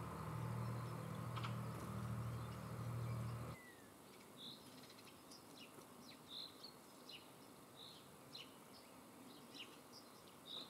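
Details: House sparrow calling: short, bright chirps repeated about four times a second at uneven spacing, following a few seconds of loud, low engine hum that then stops abruptly.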